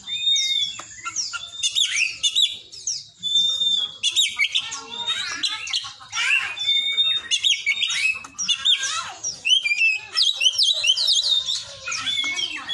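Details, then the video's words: Song of an Oriental magpie-robin imitating the cinereous tit: a dense, continuous medley of shrill whistles, quick chips and rising and falling slurs, with clicking sounds in the background. "kacer isian glatik batu"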